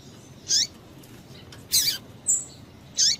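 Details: Short, high, sharp chirps from a female double-collared seedeater calling to excite males, four notes spaced under a second apart, one a thin level whistle, with nothing else heard.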